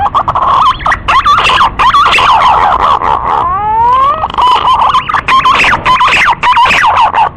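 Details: Green pigeon call played as a hunting lure to attract the birds; loud, wavering whistled notes that bend up and down, given in quick runs with short gaps, including one long rising whistle midway.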